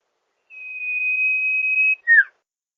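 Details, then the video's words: Sirtu call from a master recording for luring birds in rice fields: one smooth, sustained, level whistle of about one and a half seconds, then a short, loud, falling note. "Masteran Suara burung SIRTU gacor!!!"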